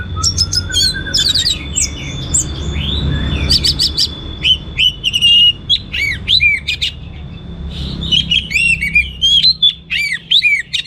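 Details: Orange-headed thrush pouring out gacor teler song with rich material: dense bursts of sharp high notes, swooping whistles and rapid twittered phrases, a thin sustained tone threading through, over quiet background hum.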